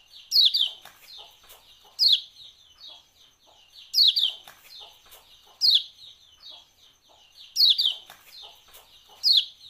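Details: Ciak-ciak calling of a Lombok white-eye (kecial kuning), played to get caged birds singing: shrill, scratchy chip bursts returning steadily every 1.8 seconds or so, six bursts, with soft chatter filling the gaps.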